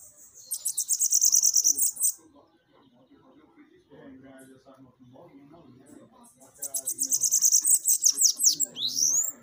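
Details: Bananaquit song played to excite captive birds: two bursts of very high, buzzy, rapid chatter, each about a second and a half, separated by a stretch of low murmuring voices and faint room noise.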